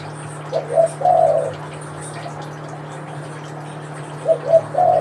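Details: Spotted dove cooing (manggung), one of the example recordings comparing local and Kelantan tekukur types, which differ mainly in voice. Two mid-pitched three-note coo phrases, the last note drawn out, separated by about three seconds over a steady low hum.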